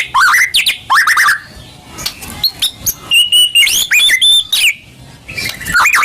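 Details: White-rumped shama (murai batu) lure song. Rich warbled phrases alternate with level, pure whistles and crisp clicks, broken by short pauses.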